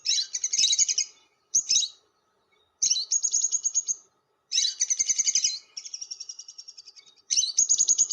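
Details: Lovebird giving long chatter ('ngekek panjang'), recorded as a lure sound: high, buzzy, rapidly pulsed trills in bursts of about one second, the longest near 2.5 seconds, separated by short pauses, over a faint steady hum.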